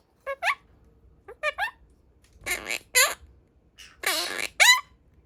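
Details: A pastel blue monk parakeet imitates Japanese speech: a run of short, squeaky, pitch-sliding syllables in several quick bursts, with harsher raspy phrases between them.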